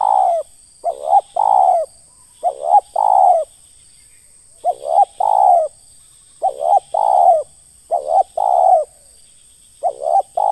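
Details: Spotted dove calling ngeruk style for pikat trapping: a run of short double notes leading into fuller falling coos, grouped in bursts with brief pauses between. A steady thin whine runs throughout.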